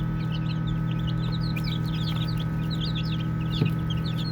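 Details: Baby chicks peeping while playing, many quick high chirps tumbling over one another, a faint thud near the end, constant low hum beneath.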